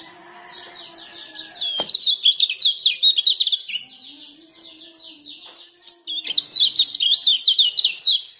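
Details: Lombok male common iora heard as a training and lure recording: long runs of quick, evenly spaced high chirps that build into denser twittering, pausing once before another fast chattering phrase, with a low steady hum underneath.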